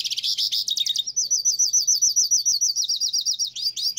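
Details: Hooded Siskin (pintassilgo), a Brazilian songbird, giving a rapid, high twittering song: a quick run of thin slurred notes, then a steady chain of bright repeated chirps.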